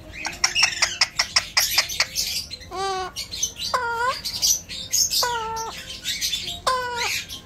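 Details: Pet Alexandrine parakeet mimicking human talk: a quick run of clicking ticks, then several nasal, harmonic squawks that drop and level off, spaced about a second apart amid hissy, speech-like chatter.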